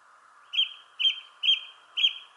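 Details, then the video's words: A thrush singing in a shrubbery tree gives four identical clear high notes, evenly spaced about half a second apart, over a steady low hum. "Thrush Sings in the Shrubbery Tree."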